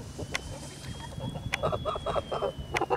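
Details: Kholmogory geese kept on a farm, recorded 10 August 2017, giving short nasal honks in a quick burst of five or six notes in the second half, over low rumbling background noise and a thin steady whine.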